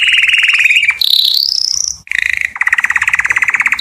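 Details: Canary song meant to excite females for mating, built from rapid rolling trills: a low pulsed roll, a higher rising buzzy trill, a short pause, then slower, evenly spaced pulsed notes.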